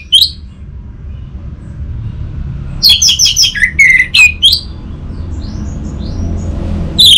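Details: Sharp high chip notes open the orange-headed thrush song, then a quick string of rapid chirps and clear descending whistles, with faint softer notes afterwards and a low background rumble.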